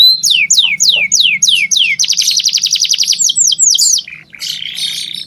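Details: Strongly singing canary used to train young birds: crisp descending swoops, a rapid rattling trill, more swoops, then a buzzy closing phrase over a soft low hum.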